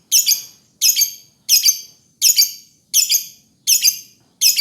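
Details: Lovebird repeating seven piercing, harsh chirps at an even pace, roughly one every 0.7 seconds, with a quiet background.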